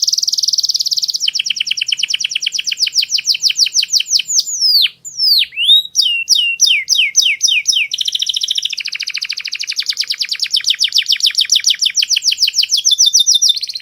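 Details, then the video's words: Master song from a clear-voiced canary. A high rapid trill changes into chopped repeated notes, then into several deep downward-swooping whistles, and finally into further long fast trills at varying pitches. "MASTERAN KENARI SUARA PALING JERNI"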